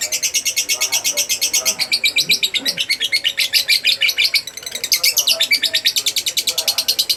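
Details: Lovebird of the fighter type, a lure recording meant to make other lovebirds answer: fast, shrill, chattering notes repeated in steady rapid pulses, high and bright, running almost without pause with a brief dip midway.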